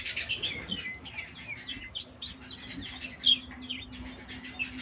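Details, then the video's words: Several canaries sing at once, trading quick high twitters and short trilled phrases over a faint steady low hum. "Canary Singing"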